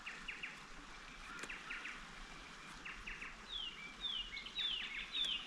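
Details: Leaden flycatcher (Myiagra rubecula) in dry brigalow woodland in fine weather, calling in quick groups of two or three short, scratchy notes, then thinner, higher whistled notes, over a soft background hiss.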